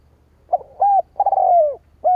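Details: A spotted dove calls to entice wild doves: a brief soft note, a level hollow coo, a long falling coo with a stuttered start, then the start of another coo at the end.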